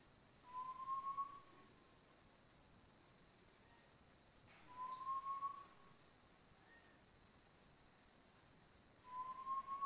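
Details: A Great barbet (Psilopogon virens) in Landour in the Indian Himalaya, in March, feeding on rhododendron flowers battered by snow and rain, gives a loud, drawn-out, slightly rising wail about every four seconds, with a brief high chirp from another bird between.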